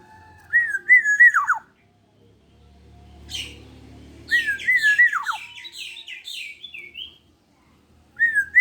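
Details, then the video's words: Vigorous song from a black-naped oriole aged 21 years, usable as a tutor bird: a mellow fluty phrase ending in a sharp fall, then a rapid run of harsher buzzy notes, another fluted phrase, and the start of a third. "Burung kepodang gacor umur 21 tahun masih jooos."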